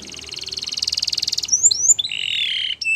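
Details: Canary song: a fast buzzy trill of rapid repeated notes for about a second and a half, then sharp upslurred whistles and a steady high warbling roll to the end.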